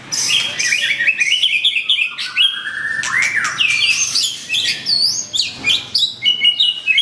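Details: Energetic song of a long-tailed white-rumped shama: tumbling runs of clear whistles and quick trills, phrases rising and falling in rapid succession with brief pauses.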